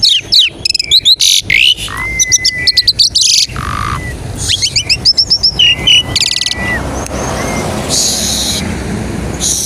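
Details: Asian pied starling lure song for prompting other starlings: a dense opening of rapid clicks and harsh chatter, then several flat drawn-out whistles among noisy bursts, ending in a steady hiss-like rush.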